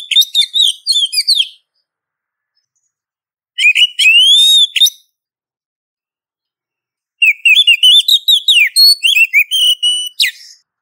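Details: Calling female Oriental magpie-robin addressing a male: three separated phrases of rapid high whistles, slurred rising notes and chattery clips, each lasting one to three seconds, with quiet gaps; no background noise.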